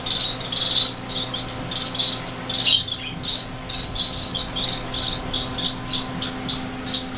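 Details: On their nest-leaving day in a greenhouse, January 2007, six young finches that can fly a little call noisily. Busy high chirps give way to more spaced, rhythmic chirps about twice a second, over a low hum.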